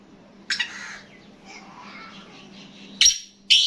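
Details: Black francolin giving a rasping burst, then a softer murmur, followed by two loud harsh, scratchy notes close together, with a constant low hum behind.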